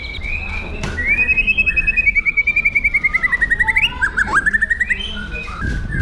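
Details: White-rumped shama singing aggressive 'pastol jahat' training song: a long, fast, rattling trill held on one pitch for about three seconds, gently falling, then a shorter trill and scattered whistles.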